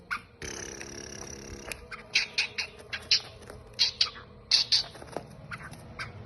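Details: Black francolin giving a series of harsh, grating, fairly high notes, loosely rhythmic, about eight bursts over four seconds, after a brief steady buzzing noise at the start.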